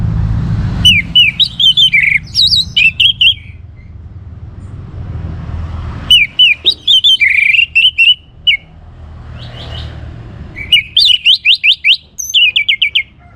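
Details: Orange-headed thrush in vigorous song, used to draw other birds into singing: three rich phrases of varied whistles, rapid chattering trills and upslurred notes, separated by brief pauses.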